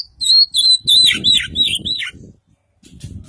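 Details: Caged white-breasted Oriental magpie-robin (Kacer Poci) from East Java, trained in full isian style. Clear, fluty warbled whistles bend up and down in a flowing phrase, then trail off into silence, with a soft low rumble behind.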